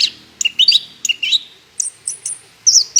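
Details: Orange-headed thrush song played as a lure to prompt other birds to sing: short bursts of bright whistled notes and high thin sustained tones, separated by brief gaps.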